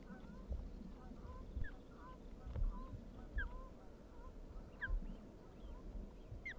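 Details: Osprey chicks being fed at the nest at Dyfi on 24 May 2021; short, thin whistled chirps, some rising and some falling, scattered irregularly over steady low rumbling wind-like noise and occasional soft thumps.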